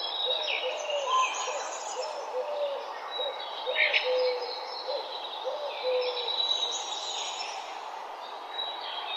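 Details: Park birds in the morning: a chorus of short low whistled notes in a loose, uneven series, overlaid with high thin chirps and a louder chirping burst near four seconds, steady background hiss.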